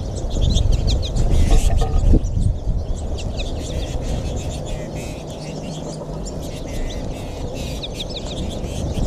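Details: American goldfinch flock in a feeding frenzy at feeders in northwest Gainesville, Florida, March 20, 2021, the late-winter Final Flourish; thin, high twittering chirps from many birds over a constant low rumble.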